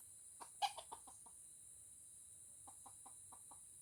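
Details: Aceh junglefowl, Indonesia, a decoy on its first outing fighting a wild bird: a burst of short, quiet clucking notes, then a second run of five evenly spaced clucks, with constant shrill insect buzzing behind.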